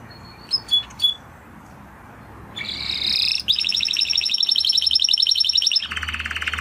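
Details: Spanish Timbrado canary: a few high chips, then a loud buzzy phrase leading into a long, fast, high rolling trill and a lower rattling ending, over steady background noise.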